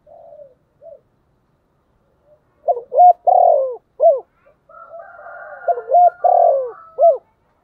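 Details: Calling decoy spotted dove luring wild doves. Faint notes open, then two full phrases: short coos, a long burred coo, a falling final note. A second, higher cooing line overlaps the later phrase.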